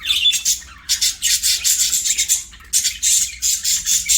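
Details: Budgerigars at play sing in loud, grating high bursts, rapid pulsed chatter broken by a couple of short pauses, each burst starting abruptly at full strength.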